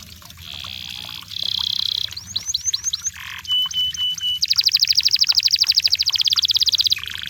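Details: Singing canary in the wild: steady buzzy trills, a short string of upswept whistles, a rasping note, a level whistle, then a loud, even rapid trill lasting over two seconds, with low background hum.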